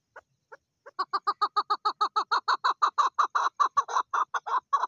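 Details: A female Chukar partridge calls, starting with a few spaced notes, then breaking into a rapid, steady chuk-chuk-chuk series of clucking notes that grows louder and more insistent over five seconds.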